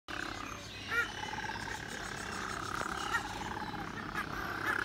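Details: Little penguin (Eudyptula minor) at Featherdale Wildlife Park, Sydney, gives a harsh, pulsing bray that carries steadily, with a few short high chirps and faint background chatter.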